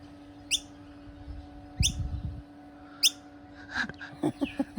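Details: Wild noisy miner fledgling, a female chick that may have left her nest too soon, perched on a person's hand in a backyard: three sharp descending high chips about every 1.3 seconds, then handling noise and a steady electrical hum.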